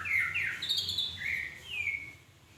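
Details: Magpie-robin song of a few sweet whistled notes, a loud slurred opening phrase, a higher sustained whistle, then two falling slurs that fade out over a quiet low hum.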